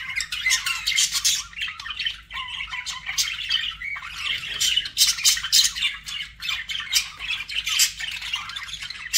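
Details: Several budgerigars keep up fast, overlapping chirps and rasping warbles, a rapid restless stream of short notes with squawky accents.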